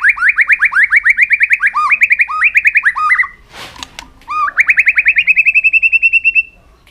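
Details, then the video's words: Long drawn-out trill of a white-rumped shama displaying aggressively with tail flicks to provoke rivals: rapid repeated slurred notes for three seconds, a brief rustling break, then a steady, even trill gently rising in pitch until it fades. "chòe lửa kéo dây siêu dài,đánh đuôi thái độ kích chim hiệu quả"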